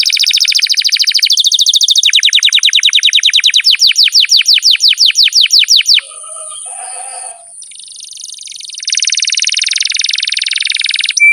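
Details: Canary singing a long, vigorous song for training pet birds: a dense fast trill slowing into evenly spaced rising chirps, a brief soft pause, then a loud buzzy rattling roll, against a steady high hiss.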